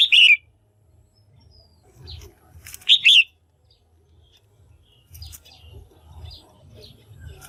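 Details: Two loud two-part chirps from a female red-whiskered bulbul, calling to stimulate males or for pairing; each a short note plus a falling slur, about three seconds apart, followed by softer faint chirps and low rumbling.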